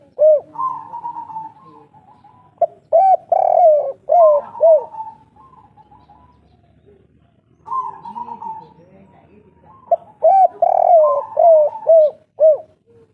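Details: Two phrases of 'kuk 3' cooing from an old local spotted dove, each opening with a flat, wavering note, then a rapid string of arched, hollow coos; a pause of several seconds separates the bouts.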